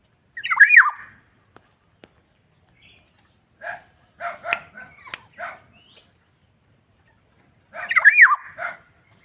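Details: Energetic black-naped oriole singing: a loud swooping whistled note blended with a nasal rasp, a pause, then a cluster of short harsh nasal calls, and the swooping rasp repeated at the end.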